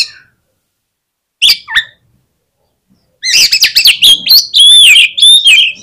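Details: Lure song of an oriental magpie-robin meant to set off other birds: a couple of isolated sharp notes, then a loud, tumbling stream of rich whistles and chatters.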